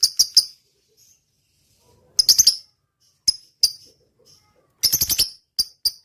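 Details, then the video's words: Singing lovebird on a training recording: short clusters of rapid, high, clicking chirps separated by gaps of near silence, with a few single ticks in between. "suara burung lovebird gacor.. ngetik panjang.."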